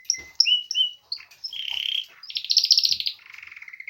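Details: Springtime canary at the start of its song season: a few sharp whistled chirps, then a buzzy trill and a loud rapid high rattle fading into a softer lower trill.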